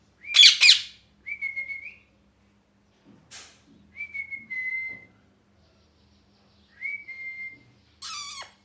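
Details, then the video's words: Indoor pet parrot, described as angry and molting, opens with a harsh double screech, then gives several clear level whistles with gaps, and ends on a buzzy nasal squawk. "Loud Parrot Chirping (Angry Voice)"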